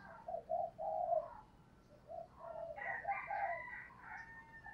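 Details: Decoy spotted dove cooing in a series of mellow low notes over steady background hiss. Other, higher and louder bird calls overlap in the second half.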